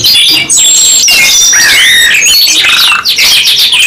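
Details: Canary song by two birds, long whistled slides and curving warbled notes over a dense wash of fast high chirping, loud and sustained.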